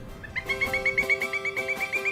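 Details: A Pileated Woodpecker calling in the morning at Princess Place Preserve, Palm Coast, northeast Florida: a loud, ringing run of about fifteen even notes, quick and steady in pitch, with no other clear sounds.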